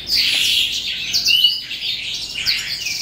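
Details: Brief stretch of eastern calandra lark song, psammochroa, at the end of the day: a busy run of high chirps and a clear downward whistled slur in the middle.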